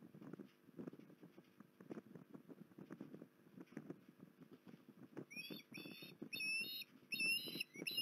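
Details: Port Lincoln osprey, recorded 19 January 2021, begins after several seconds of low rumbling, pattering noise, then gives about five quick rising whistled notes in a rapid run.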